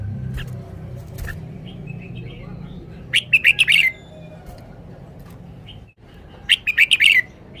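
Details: Red-whiskered bulbul showing off its song style: two short bright phrases of five or six quick, warbled, slurred notes, about three seconds apart, over a soft steady low hum.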